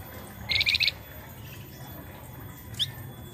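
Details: Young untrained pied triller singing, used to lure other birds into singing: a quick burst of about five high, buzzy notes, then a lone rising chirp after a pause, over a low background hum.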